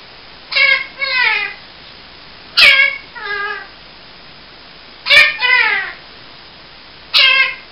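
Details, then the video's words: A ring-necked (rose-ringed) parakeet talks in short two-syllable, speech-like phrases about every two and a half seconds, with a few sharp clicks between them. "ringneck talking"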